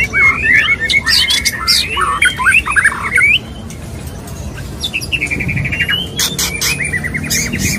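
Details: Courting male white-rumped shama calling to a female: dense, scratchy bursts of varied notes, then a run of rapid repeated chattering notes and a few harsh, buzzy sounds.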